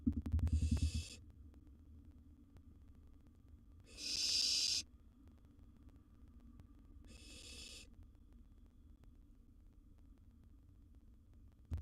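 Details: Wild owlet barn owl at the nest with a big gerbil: three spaced, noisy hissing screeches, the middle one loudest, across a mostly quiet stretch, opening with a burst of bumping.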